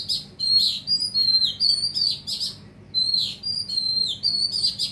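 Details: Oriental magpie-robin singing: bright, high whistled phrases with sliding and falling notes and sharp chips, delivered in two similar bursts about two and a half seconds apart, with a brief quiet gap between them.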